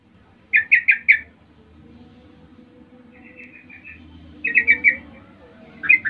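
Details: Sooty-headed bulbul used as a lure to provoke rivals into answering: bursts of four quick bubbly chirps near one second in, a softer warbled phrase, then another chirpy burst and a closing note, over low background hum.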